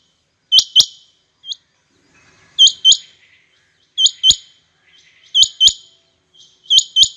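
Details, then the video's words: Rain quail competition between birds: clear, sharp high-pitched double notes repeated about every 1.3 seconds, with a faint single note and soft low chirps between bouts. "Rain quail competition | chingha batair ki awaz | چنگھے بٹیروں کا آپس میں مقابلہ"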